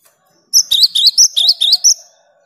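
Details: Cinereous tit in lively song, played to stimulate silent tits to sing: a crisp phrase of about seven high, ringing two-part notes in steady rhythm, with a faint thin tone beneath the latter notes.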